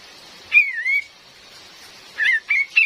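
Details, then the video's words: Cream-vented bulbul female, used as a lure for trapping in the forest: a whistled downslurred-then-rising note, followed by three short clear whistled notes near the end, over a steady rain hiss. "SUARA ASLI KAPAS TEMBAK BETINA || COCOK BUAT PIKAT DAN PANCINGAN"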